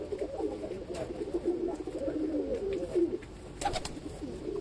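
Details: Pigeons near an ash-coloured baby pigeon give deep, burbling coos in a steady stream, with short sharp clicks and taps around the three-and-a-half-second mark.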